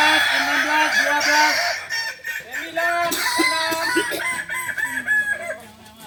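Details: Balenggek rooster contest in Kota Solok: a dense chorus of stepped, wavering crows, notes dropping tier by tier, several cocks answering each other continuously.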